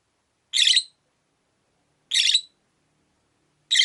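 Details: Pet rosy-faced lovebird from a group of five in a windowside cage, uttering loud scratchy chirps about every one and a half seconds, three bursts in all.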